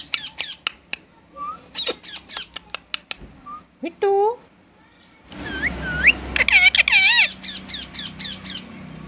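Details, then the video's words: Caged parrot eating corn in its cage: sharp squawks in quick series, short whistled notes and hooked slurred calls, then a louder stretch of rapid squawks over background noise and voices. "Natural Parrot Voice"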